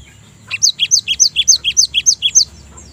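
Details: Cinereous tit singing a rapid run of paired notes, each a higher note dropping to a lower one, repeated about a dozen times in under two seconds, with a faint low hum beneath.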